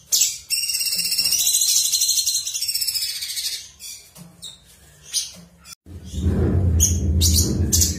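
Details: Cucak cungkok in energetic, nonstop ngebren singing: a dense run of high, buzzy chattering notes for about three seconds, then sparse short chirps, with steady low music underneath.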